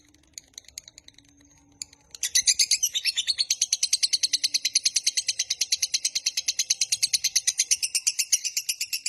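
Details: Lovebird in long 'ngekek' trilling, a master recording meant to lure and train lovebirds; after a couple of quiet seconds with soft chips, a fast harsh chatter starts and runs steadily, notes repeated several times per second until the end.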